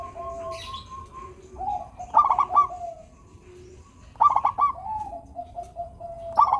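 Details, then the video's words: Several local zebra doves cooing, used to start lazy doves singing: rippling stuttered bursts roughly every two seconds with steady soft coos between. "perkutut lokal gacor suara merdu - bikin bunyi perkutut yang malas manggung."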